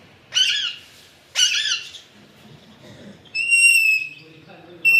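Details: Alexandrine parakeet producing two loud, grating squawks about a second apart, then a clear, sustained whistled note and a brief whistled call at the end.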